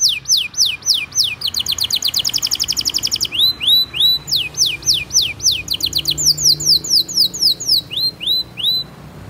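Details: Canary master song, long and 'gacor', used to teach young canaries and provoke mute ones: repeated high downswept notes, a very rapid roll, then spaced upturned whistles in changing tempos.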